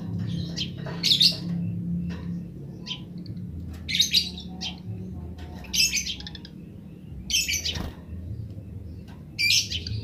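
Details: Wild Eurasian tree sparrows giving grece chirps, with wild sparrows answering; bright chirp bursts repeat every one to two seconds over a steady low hum.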